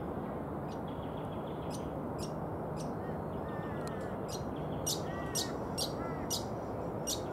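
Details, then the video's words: Brown honeyeater (Lichmera indistincta) giving scattered sharp, high chips, with a few faint short whistled notes between them, against constant heavy background rush. "The sound of Brown Honeyeater"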